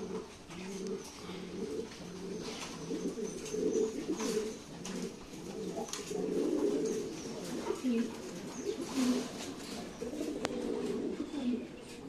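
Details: Fancy pigeons cooing indoors, low rolling coos repeated steadily throughout, several birds overlapping, with faint rustling and a murmur of voices in the background.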